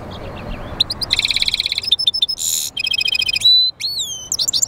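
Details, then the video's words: European goldfinch × canary mule singing: a loud, close, rapid and varied song of high pulsed trills, buzzy bursts, a dense rasping note and clear upward-sliding whistles over a quiet background. "European Goldfinch mule singing"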